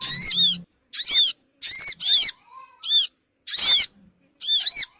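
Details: Small-bird lure of crimson sunbird notes: loud, coarse, buzzy chirps in bursts of one to three, separated by short pauses, with a faint low hum at the start and a soft tone between bursts.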